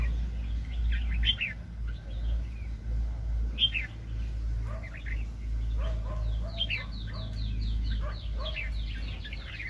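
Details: Red-whiskered bulbul during bird trapping in 2020, with a very spirited wild-caught bird. Bright whistled and slurred notes from several birds come in short, irregular bursts over a steady low hum.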